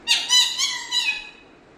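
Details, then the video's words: A pet parrot from Kerala, India, speaks Malayalam in a rapid run of four or five nasal, speech-like syllables, rising and falling, recorded close in a small room. "parrot Talking"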